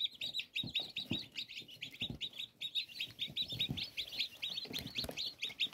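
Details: Newly hatched chicken chicks, recorded 5 June 2022, keep up a dense, continuous chorus of high, rapid peeps from many birds at once, with soft thumps and rustling beneath.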